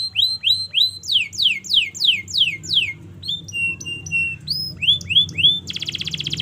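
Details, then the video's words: Canary long song used to teach young canaries: paired upswept notes, descending slurs, a held whistle, upswept phrases, then a rapid buzzy trill. "Masteran Kenari Gacor Panjang‼️Cocok Untuk Pancingan Kenari Belajar Bunyi dan Macet Bunyi"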